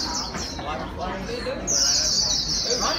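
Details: White-eye in training to sing fast: a run of high, thin, rapidly repeated chirps and trills, louder in the second half, over a steady background hiss.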